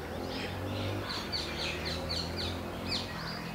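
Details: Three wire-tailed swallows perched on a barren tree call to each other, a black kite also present; short downslurred chirps repeat through the clip at several per second over a steady low hum.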